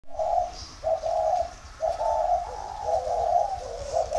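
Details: Spotted dove cooing in the style called dây vàng: low, hollow coos in short phrases, repeated roughly once a second with brief pauses, with faint hiss in the background.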